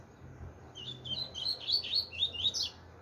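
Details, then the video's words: Chopi blackbird singing the 'tui tui zero zero' style: a steadily building two-second phrase of quick, clear whistled and chirped notes at high pitch. "pardo tui tui zero zero"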